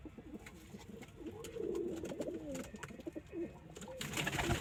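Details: Domestic pigeons kept as local, Indian and Chinese breeds: a low throaty cooing phrase with rolling, wavering notes, then rising rustle and flapping noise at the end.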